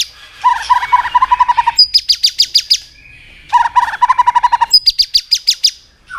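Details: White-rumped shama singing fired-up to provoke rivals, clicking continuously and switching voices: two repeated bursts, each a rapid trill of mid-pitched notes followed by a run of sharp high pulsed notes, about three seconds apart.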